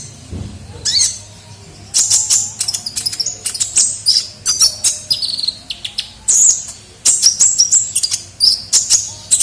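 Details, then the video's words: Sunbird (kolibri ninja) lure sound: a rapid, excited series of very high sharp chirps and twitters in clustered bursts, nearly continuous. "pikat suara burung kolibri ninja gacor"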